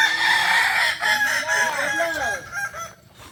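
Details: Kukuak balenggek chickens competing in a crowing contest final at Ampang Kualo, Kota Solok, 8 September 2024; overlapping stepped crows with arching, wavering syllables fill the first two and a half seconds before a brief lull.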